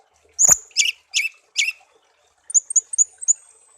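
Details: Garden-found songbird raised by hand from a young age, now tame: four spaced harsh chip notes followed by a quick series of thin high whistled notes.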